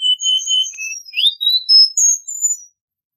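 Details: A Cuban bullfinch gives high sustained whistles, a sweeping rising note and a few thin, very high descending phrases, then falls silent.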